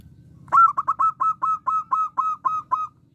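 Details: A local zebra dove, noted as a lively singer with a small voice, delivers a crisp series of about eleven short, evenly spaced cooing notes at one steady pitch. The series lasts under three seconds over quiet low background hum.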